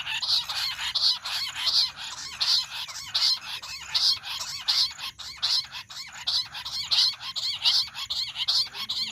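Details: Jungle bush quail, call used in hunting: a long run of evenly spaced, piercing chattered bursts, roughly one every three-quarters of a second, strong and sustained throughout.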